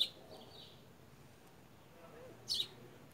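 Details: Wild creamy-bellied thrush visiting a garden to feed on fruit, recorded by smartphone on 18 September 2018 at 14:33. A single sharp, bright chirp near the end, with a fainter note at the start over soft background hiss.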